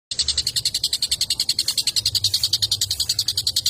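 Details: Long-tailed shrike, played to stir up other shrikes: a fast, steady train of harsh high chirps, about three or four each second, with a faint low hum underneath.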